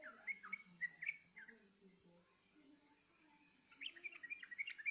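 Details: Yellow-vented bulbul lured with a bait sound to sing along: short bursts of bright, bubbly whistled notes at the start and again near the end, separated by a quiet gap, over a steady high insect drone.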